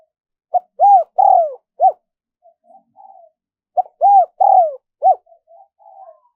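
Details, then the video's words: Lure recording of spotted dove cooing for wild doves: two low phrases, each a clipped note, an arched coo, a long descending coo and a final short hoot, trailed by quiet murmuring notes. "Tiếng chim cu gáy mp3 dùng kích bổi hiệu quả nhất"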